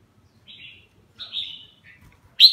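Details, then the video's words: Red-whiskered bulbul, a kept bird, singing as it bathes: two soft, drawn-out whistled notes, a faint stuttering twitter, then a loud sharp chirp at the end; otherwise quiet. "Mào má lỡ mào lân vừa tắm vừa hót"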